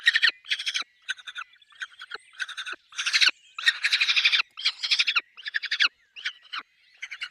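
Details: Peregrine falcon at a nest with chicks: harsh, raspy screeching bursts in rapid, uneven series, some long and dense, others short and clipped, with brief gaps between volleys.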